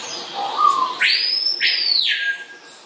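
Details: Courting pair of swallow tanagers, blue black-faced male and green female, as she stuffs fruit into her throat pouch: one short low note, then two strong arching sweeps climbing high and dropping back, each under a second long.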